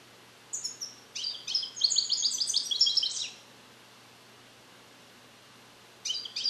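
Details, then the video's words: Captive-bred European goldfinch hatched in 2021 and song-trained with Neapolitan passages (passata napoletana), beginning to repeat them but not yet complete, isolated in a carrier: a quick burst of tinkling, twittering notes, then silence, then a brief new phrase. "Cardellino Passata Napoletana 2021 - European Goldfinch - Jilguero cante limpio"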